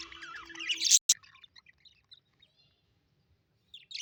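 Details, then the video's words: Happy pet budgerigars chirping: a busy warbled twitter that peaks sharply, then a sudden loud click, scattered faint notes, and a fresh burst of chatter at the close. "Budgies birds -happy budgies chirping sound"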